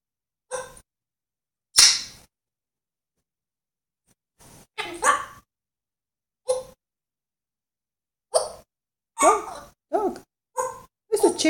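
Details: African grey parrot imitating animals, here giving short bark-like bursts and rough calls spaced by silences. A person's voice mixes in briefly.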